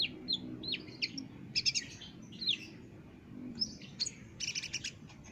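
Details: Olive-backed sunbird singing energetically, recorded as a master for caged songbirds: scattered high squeaky chips and short buzzy trills with uneven gaps, a brief dense twitter at the end, faint low rumble throughout.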